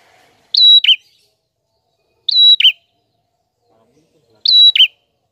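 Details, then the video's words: A prinia repeats a bright phrase about every two seconds: a high, steady whistle, then a lower, buzzy, dropping note. There is no other sound. "Burung Prenjak Gacor Suara Jernih"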